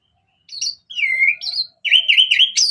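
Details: Ngeplong-style song of an orange-headed thrush, meant to lure other birds into singing: a high chip, a long drawn slurred whistle, a rising note, then a quick wavering warbled run of bright notes.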